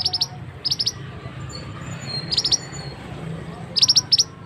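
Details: Male scarlet-headed flowerpecker calling, a recording used as a lure for trapping birds in forest; short high thin ticking notes in quick clusters of three or four, spaced about a second apart, over low background hum.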